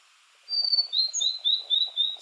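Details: Male-style song of a blue-and-white flycatcher, summer visitor to Japanese hills, perched on a treetop or snag: a long high whistle followed by a series of short, evenly spaced slurred whistles, clean and unhurried over quiet background.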